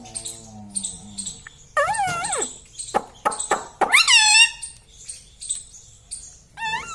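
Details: Indian ringneck parrot kept as a talking pet, mimicking phrases like "Mummy mitthu ki roti do"; harmonic arched syllables, a long wavering cry near the middle, short sharp notes between, soft background chatter.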